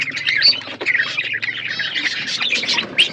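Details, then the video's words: Budgies feeding in a flock: continuous soft warbled chatter with scattered squawks above a low steady hum. "Birds chirping beautiful budgies flocks birds eating food"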